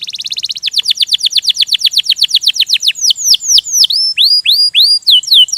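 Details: Canary singing ngerol gacor: a fast buzzy trill runs into a string of steep downward whistled sweeps, then spaced rising and falling slurred whistles.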